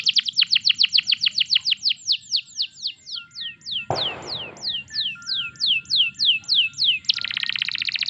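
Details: Canary song played to stimulate other canaries to sing: a quick trill easing into a long run of downward-swooping whistles, a brief noisy burst partway, ending in a fast buzzy trill.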